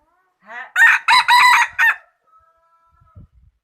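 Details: Rooster crowing: a loud, harsh, multi-part crow of several rapid bursts over about a second and a half, followed by near silence with a faint steady hum and a few soft clicks.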